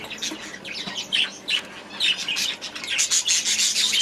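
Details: Budgerigars in an aviary, a flock chattering with dense bursts of high, scratchy chirps and warbles, rising and falling in loudness over a few seconds.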